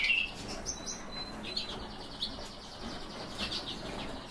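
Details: Several Bohemian waxwings in captivity give a steady chorus of high, sizzling trilled calls, broken by a few brief thin whistled notes.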